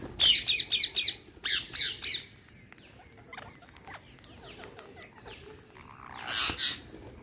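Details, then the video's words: Green parakeet on a feeding day, loud grating screeches in rapid series of four, a pause, then three more, and a final pair near the end, with faint chirping birds in between. "Green Parakeet Feeding Day"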